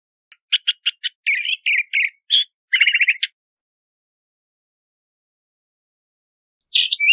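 A Crissal Thrasher sings a quick burst of varied phrases: sharp repeated notes, then warbled and buzzy trills, a pause, and a brief further phrase.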